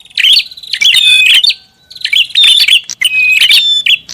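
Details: Prinia calling loudly for luring. Three or four harsh, twittering bursts, each about half a second long, are separated by short silences. Each burst ends in a thin, clear whistle.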